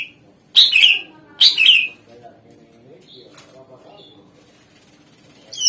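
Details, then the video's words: Greater green leafbird song used to lure other birds into responding: two loud harsh chattering bursts close together, then a long quiet stretch with faint short notes, and a final burst starting at the end. "Ampuh Suara Pancingan Cucak Ijo Gacor Di Jamin Langsung Ikut Nyaut Jenis Kicau Lain Mendegar"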